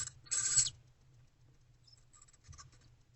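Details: At night in a nest box during food deliveries, 28 February 2024, barn owls give a single short rasping hiss, followed by soft scratching and shuffling.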